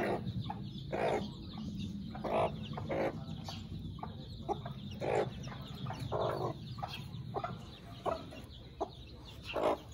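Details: Chickens, including newly hatched chicks on their first day; a run of brief throaty clucks repeated irregularly, a few stronger rasping notes, over a constant low background rumble.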